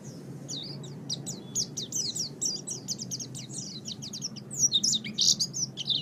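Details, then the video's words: Master recording of oriental white-eye song for training caged songbirds: a fast run of thin, high chirps and trills, brighter sharper notes near the end, over a low steady hum. "MASTERAN GACOR - Suara Burung Pleci"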